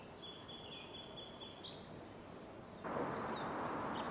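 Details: Mountain Chickadee in a backyard in the Sierra foothills, California, on 8 April, giving thin, very high notes in a quick series over two seconds, then a rushing burst of wind or rustling noise.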